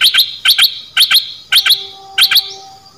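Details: Small songbird known locally in Thailand as nok dok taeng, song used to train young birds and excite them: high, clear double chirps with sharp upward sweeps, pairs repeated about every half second in a quiet setting.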